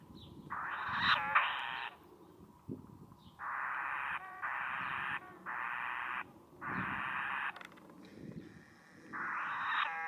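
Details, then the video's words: Hidden sacred kingfisher chicks begging in a mud nest within a fallen tree on the beach, South Titirangi; repeated harsh, wheezy rasping bursts about a second long, coming in a steady series with brief pauses between them. "Kotare Kingfisher chicks begging in nest"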